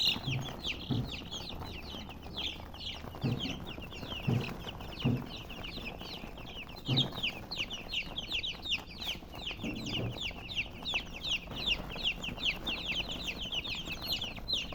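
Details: A flock of colored chickens keeps up nonstop chirping, high thin peeps packed tightly together, broken by several dull low knocks at irregular moments.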